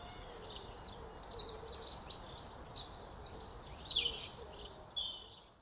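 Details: House sparrows at a small nest beneath roof tiles on an early April day, giving dense, shrill chattering chirps that overlap and come in lively uneven runs over faint background hiss.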